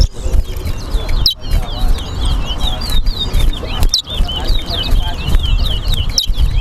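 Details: Chestnut-bellied seed finch (towa towa) in a singing race between two birds at a bird ground on Lamaha and Vlissengen Road, Guyana: rapid, high, twittering song phrases run almost continuously, over a loud crowd rumble and a man counting aloud.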